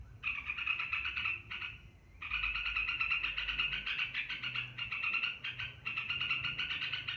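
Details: Long ngebren panjang song of an olive-winged bulbul, a fast rattling stream of harsh chattering pulses that runs almost continuously, broken by one short pause near the start and one longer one; faint low hum behind.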